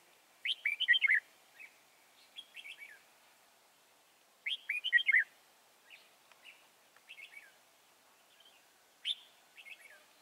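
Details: Wild red-whiskered bulbul caught at Chùa Hương on 24 March 2018. It delivers rapid bursts of lively chirped and warbled notes, each followed by softer scattered chirps. The bursts repeat roughly every four seconds against a faint, steady background.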